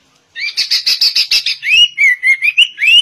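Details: Sooty-headed bulbul singing with a white-rumped shama imitation: a quick run of about eight buzzy chattering notes, then a series of clear rising whistles linked in a lilting, looping phrase.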